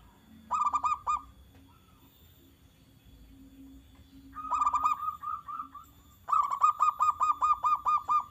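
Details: Cooing song of a zebra dove, used to provoke other doves into replying: three bursts of quick, rhythmic, gurgling notes, the last a long steady series of a dozen pulses, with a faint low hum behind.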